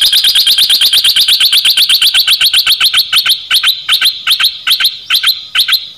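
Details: Nok dok taeng bird, recorded to train young birds and excite them; a loud, fast string of sharp high chirps repeated steadily, then slowing into spaced pairs and triplets toward the end.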